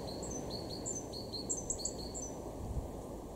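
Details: Great tit in a garden at Weener, East Frisia, northwest Germany, March 2023, repeating high, ringing two-note motifs for about two seconds before falling silent, leaving only low ambient rumble.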